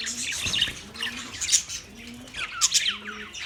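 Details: Budgerigar chatter from 9 March 2024: short scratchy chirps and a few rising squeaks, with faint low steady tones between them.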